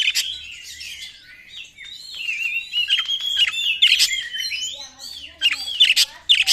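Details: White-rumped shama song used as a lure to attract other birds: a long, varied stream of loud whistles, slurs and sharp clicks, with rapid repeated notes and a few lower warbles.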